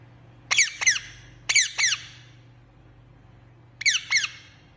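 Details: Pet green parrot indoors giving short harsh paired screeches, sharp rasping notes in groups of two separated by pauses of about a second, over a steady low hum.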